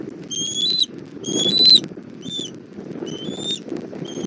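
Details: Bald eagle at its southwest Florida nest on the evening of 1 April 2024, mother delivering food to the chick: short, thin whistled notes in small bursts, separated by gaps, against a low rumbling background of wind.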